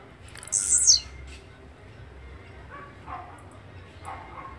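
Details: Song of a blue-black grassquit: a single high, harsh, buzzy phrase ending in a quick downward slur. Faint softer chirps follow in a quiet setting.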